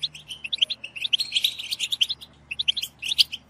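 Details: Several European goldfinches twitter together in a group chorus meant to stimulate goldfinches to sing. It is a fast, tinkling jumble of high, bright chirps and liquid trills, the notes tumbling over one another almost without pause.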